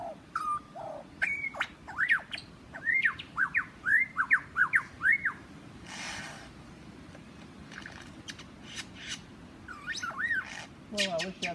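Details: A lyrebird in Australia, very close to a man and displaying to him, gives a run of loud rising and falling whistled notes, about two a second, then sharp squawks and rapid churring; observers suspect a mating call.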